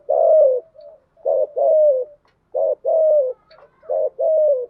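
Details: Decoy spotted dove cooing to lure doves, giving three even phrases of a short coo plus a longer falling coo, steady rhythm about every one and a half seconds, clean recording.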